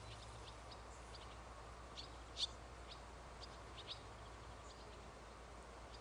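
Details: A young barn swallow (Hirundo rustica), 1 August 2011, gives scattered thin, high chirps, one sharper note standing out midway, over a steady low hum and hiss.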